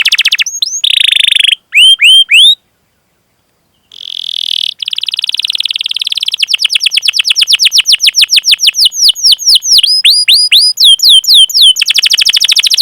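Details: Canary training song for coaxing silent or young canaries into singing: short chirped phrases separated by gaps and a silence, then a rolling trill that speeds up into quick, sharply falling whistled sweeps.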